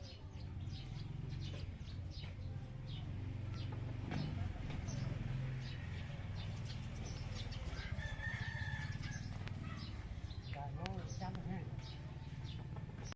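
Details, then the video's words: Pied F2 junglefowl calling: a faint, tonal, harmonic crow rises mid-recording and comes again near the end, set against a steady low rumble and scattered short high chirps. "ไก่ป่าด่างF2 Qaib txaij txuam 2 zoo nkauj heev"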